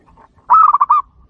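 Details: Zebra dove (perkutut) song in the kerot and bekur styles, played to provoke other doves. A single loud phrase of quick, rolling, broken coos lasts about half a second after a soft lead-in note.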